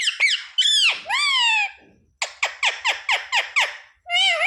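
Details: Talking parrot, said to speak phrases such as sita-ram, jay shree ram and mummy papa, indoors: a few slurred harmonic word-like calls, then a quick run of seven short clipped chirps and a final rising squawk.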